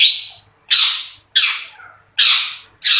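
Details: Long-tailed shrike delivering a full song of rough filler notes and fast rolling bursts. Loud rasping, scratchy blasts come in roughly every 0.7 seconds, separated by short silences.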